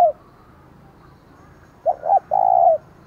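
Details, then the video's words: Decoy spotted dove giving a ringing provoking call to stir wild doves. A coo ends, a pause follows, then two short notes lead into one long even coo. "Chim Cu Mồi, tiếng thúc vang cả xóm mở lên kích bổi hiệu quả"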